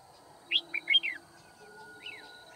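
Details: Decoy red-whiskered bulbul used in trapping at Kim Bôi on 9 February 2019. A crisp four-note warbled phrase is followed by a softer single slurred note. A faint high hum continues behind.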